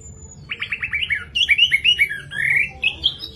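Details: Orange-headed thrush song aimed at stirring other thrushes: a rapid series of short rising buzzy notes, about eight in a row, then slurred whistled phrases sweeping upward.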